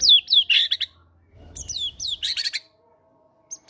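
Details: Caged White-rumped shama of fighter type singing vigorously, featuring imitated cinereous tit notes, played to stir quiet birds into song. Falling whistled slurs and harsh chatters alternate in two bursts, with a faint low rumble between them.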